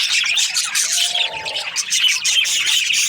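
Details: Budgies in breeding season keep up a steady high chatter of squeaks and warbled chirps, many birds calling at once.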